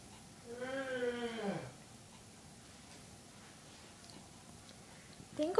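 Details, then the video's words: Pet bird, female, on her 21st birthday, indoors: one drawn-out whistle of about a second, rich in stacked overtones, held steady then dipping sharply at the end, followed by quiet and a woman's voice. "Tango whistles"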